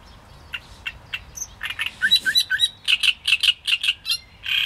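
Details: Great reed warbler singing: scattered harsh clicks give way to loud, grating, croaking notes, then a fast regular run of strident chirps repeated about three times a second, with faint low rumble beneath.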